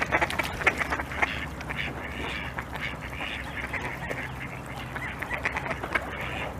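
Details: Khaki Campbell duck calling, a busy stretch of harsh, nasal quacks in quick irregular bursts, several overlapping at times, over a steady low background hum.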